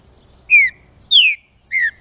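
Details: [['Green-winged saltator song for stimulating rival saltators: three strong downward-sliding whistles about half a second apart, clear over a faint low rumble.']]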